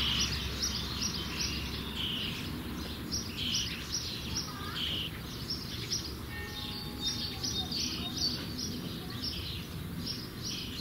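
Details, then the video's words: Common starling nestlings close to fledging give a continuous stream of rasping, hissy chatter, short buzzy notes tumbling over one another with a few thin whistles mixed in, above steady background noise. "Junge Stare ■ Sturnus vulgaris werden bald flügge"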